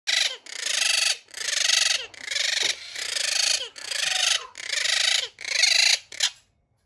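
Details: A pet monk parakeet at home gives a territorial threat display after its territory, especially the cage's bottom mesh, is disturbed: loud, harsh, raspy screeches, seven in a row at about one per second; nothing else is heard.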